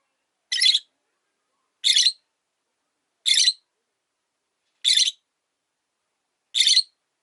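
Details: Caged rosy-faced lovebird, a lone bird whose partner died, kept by a window. Five short, harsh, buzzy chirps are spaced about every one and a half seconds, with silence between.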